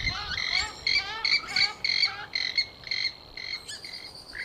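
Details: Purple swamphen, recorded as a hunting lure, giving a quick series of short, nasal, buzzy notes, about two or three per second, that fade slightly toward the end.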